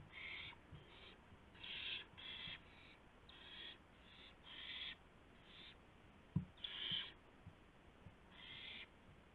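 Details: Owl delivering a gopher to another owl at 2:51 AM on April 2, 2016. A quick series of about ten rough, hissing bursts, often paired, with a sharp knock midway and steady low hum.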